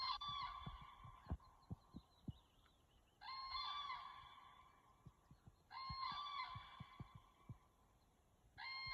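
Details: Crane calling in the wild: loud, trumpeting bugled notes rich in harmonics, given in three long bursts about every three seconds, with faint clicks and low thumps in the background.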